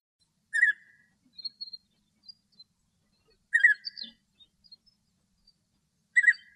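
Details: Male European bee-eater singing happily in Greek nature: three rolling, purring trilled notes, each about three seconds apart, with soft scattered higher chirps between them and an otherwise quiet background.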